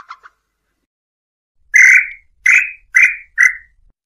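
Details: Tataupa tinamou calling to attract a mate: after a brief soft note, four loud, hoarse whistled notes follow about half a second apart, each slurring slightly downward.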